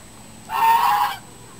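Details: Angry turkey giving one harsh, rattling gobble of about three-quarters of a second, a dense noisy burst with a steady nasal tone running through it, over quiet background hiss.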